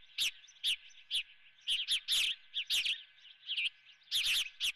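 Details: Sharp whistled chirps from an osprey on the Dunrovin nest during a live golden fish breakfast, single and paired notes spaced through nearly five seconds, steady background hum.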